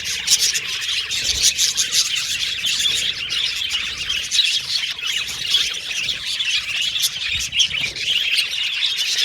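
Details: Australian budgies kept as pets chatter continuously, a thick layer of high scratchy warbles punctuated by brief sharper squawks and chirps.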